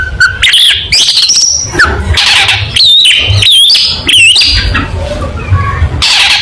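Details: Long-tailed shrike singing competition-style material for tutoring other birds: rapid wavering whistles, zigzag high notes and raspy chatter strung together without pause, over a constant low rumble.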